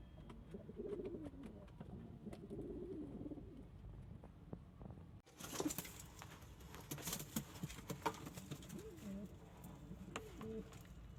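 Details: Low rolling coos from kept pigeons of local, Indian, Chinese and homing breeds, two phrases early on, then a loud burst of rustling and more coos later amid clatter.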